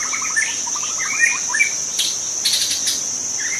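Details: Young white-rumped shama singing wild in forest, opening with a quick stuttered trill and short whistled slurs, then pausing while a loud shrill insect chorus carries on.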